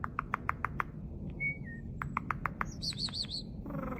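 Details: Starling imitating human-like sounds: two series of about six rapid clicks, a brief whistle between them, then a quick trilled high phrase, over a low background rumble.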